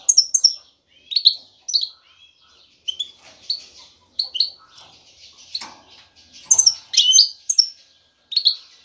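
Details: Male European goldfinch, ready to breed, singing excitedly to attract a female for mating; scattered high twittering notes and short buzzy trills in bursts separated by brief pauses.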